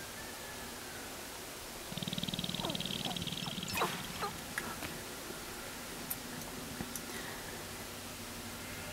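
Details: Sharp-tailed grouse at a snow-covered lek in Carlton County, Minnesota, in April 2013, males dancing with purple air sacs inflated. A fast two-second burst of low rattling pulses with a thin high tone, then scattered clucks, chirps and clicks.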